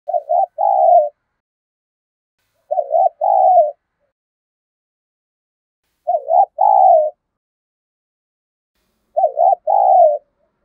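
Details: Spotted dove calling to lure wild doves: a clear two-part cooing phrase, a short wavering double coo then a longer level coo, repeated four times about every three seconds over silence.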